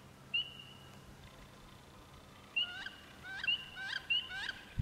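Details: Wood ducks courting in April: a lone rising whistle, a pause, then a cluster of high upslurred whistles mixed with short squeaky, downward-bending notes, set against a low continuous hum.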